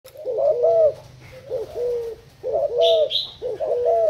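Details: Spotted dove kept as a Thai-line decoy bird, recorded 10 April 2018: low, mellow, bubbling coos in rounded phrases, four phrases roughly a second apart, with brief high chirps from another bird late on and a faint low hum.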